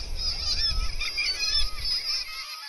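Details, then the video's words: Kittiwakes at a seabird colony on the Angus cliffs in Scotland, a call said to sound like their name, 'kittiwake'; nasal, wavering calls overlap throughout, above a heavy low rumble of wind. "the nice thing about kittiwakes is that they say the name, you can hear them going kittiwake, kittiwake."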